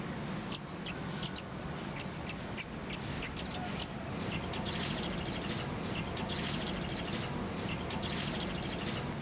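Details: Purple-throated sunbird (kolibri ninja) in a clear tutor song full of fill phrases: scattered high thin chirps, then from midway long rapid trilled rolls of sharp notes, with a low background hum.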